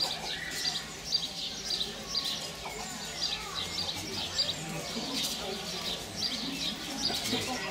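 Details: Barn swallow nestlings in late May, in their key growth phase, fed rapidly and continuously by both parents; high, scratchy chirping bursts repeat steadily throughout over a dense, noisy background.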